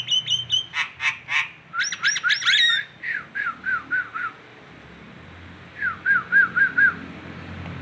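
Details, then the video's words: Local Nias hill myna in Indonesia, recorded as a masteran training track: a loud mix of harsh squawky bursts and sharp whistles, then a run of short slurred whistles, a brief pause, and four more quick arched whistles. "masteran jalak Nias lokalan aja"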